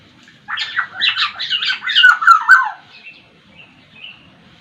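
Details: Sumbawa black-naped oriole giving a quick chattering series of about nine rasping notes that finishes in fluty downslurred whistles, followed by faint soft whistles.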